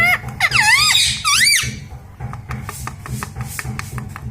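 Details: Pet parrot talking indoors: a few loud, looping, speech-like syllables during the first second and a half, followed by rhythmic music with clicking percussion.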